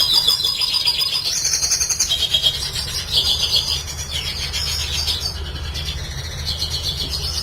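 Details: Red siskin pouring out a sustained song for cage-bird training: long runs of high buzzy trills and twittering phrases that shift in pitch every second or so, with a low hum in the background.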